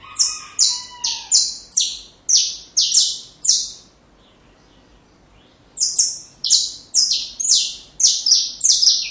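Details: Saffron finch song for young birds to learn: a run of rapid, shrill falling notes opening with a lower whistled tone, then nearly two seconds of silence before another quick series of high notes.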